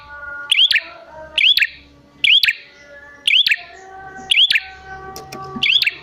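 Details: Bar-winged prinia calling as a lure for wild prinias, giving high hooked chirps with crackling clicks at roughly one-second intervals; low hum and faint tonal lines in the background.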